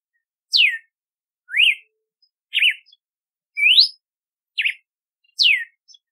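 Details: Red-cowled cardinal song, galo de campina, with six loud whistled phrases about a second apart: falling sweeps, rising slurs and quick up-and-down wavering notes, clean and without background noise.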